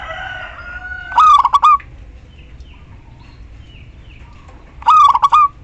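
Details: Female zebra dove, local variety, calling to the male as a lure for silent doves. A soft whistled note leads in, then two stuttering cooing phrases about four seconds apart, each pulsed and ending in a drawn note.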